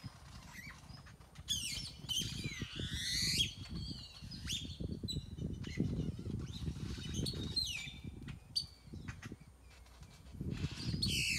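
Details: Chorus of birds in a tropical tree in Nayarit, Mexico: squawky and whistled calls in bursts over a constant loud low rumble of background noise.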